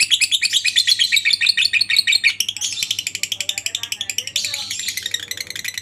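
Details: Lovebird in long ngekek chatter, used as training material for other lovebirds: a dense run of rapid, high, buzzy chirps that slows into separate pulsed notes, with faint lower chirps from other birds in the room behind.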